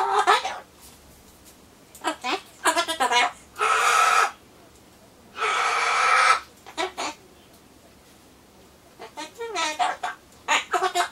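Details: Pet Solomons corella's monologue while awaiting pumpkin, mixing word-like chatter with two long harsh, raspy screeches of about a second each, then further clipped speech-like syllables.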